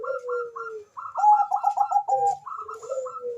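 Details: Bangkok zebra dove song used as a lure to raise breeding urge and singing: overlapping layers of trilled coos, a higher repeated phrase over lower drawn-out falling notes, possibly more than one bird.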